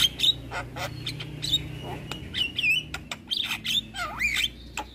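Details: Vigorous 'gacor' Javan myna used as a training master recording: scattered rasping bursts interleaved with clear whistles, some dipping and rising into a looping slurred phrase near the end.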